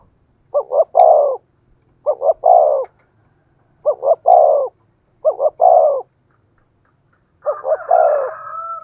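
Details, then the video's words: Vietnamese decoy spotted dove cooing in the 'giọng thổ' voice style. Four clear phrases of two quick notes and a rolling, throaty coo repeat roughly every 1.6 seconds. A higher, drawn-out crowing-like call overlaps the last phrase. "tiếng cu gáy mồi chuẩn giọng thổ hay"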